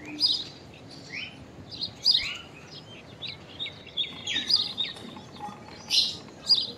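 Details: Common myna uttering unusual calls: sharp chirps mixed with short rising whistles and a string of clipped flat notes, irregularly spaced over faint hiss.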